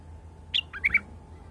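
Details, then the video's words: Wild bulbul giving a brief phrase of three or four bright, slurred whistled notes within half a second, the first note higher, against a quiet background with a low steady hum. "تغريد بلبل وحشي مخلف"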